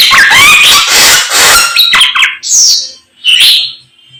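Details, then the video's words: Samyong in the morning: a dense harsh chatter with whistled slides, then separate high squealing notes with short silences between them. "SAMNYONG GACOR Menggemaskan DI PAGI HARI SANGAT MENGGILA MELEGENDA 1001 KICAUAN"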